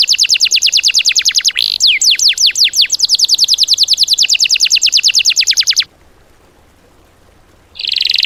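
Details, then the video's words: Cage-bird training song material: a fast run of sharp downward-sweeping notes, repeated about three per second for six seconds, then silence and a new loud buzzy burst at the end. "MATERI ISIAN BURUNG TEMBAKAN"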